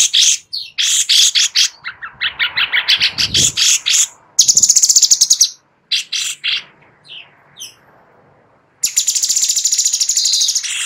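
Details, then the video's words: Sooty-headed bulbul master track for teaching White-rumped shamas: a series of short, quick-fire high chirps, a burst of buzzy trilling, scattered faint notes, then a long, steady, very high buzzing trill. "Master Cucak Cungkok"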